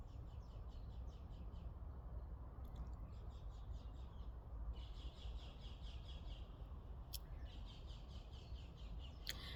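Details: Garden birds singing behind a house: several bursts of fast, high trilled notes repeated in runs, with brief sharp clicks between them and a continuous low rumbling background.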